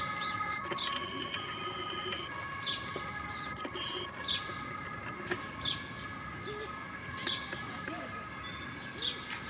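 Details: A Canada goose family with five goslings in Luisenpark, Mannheim, on 4 June 2022: high, thin downslurred gosling peeps about once a second over a steady mechanical hum, faint voices behind.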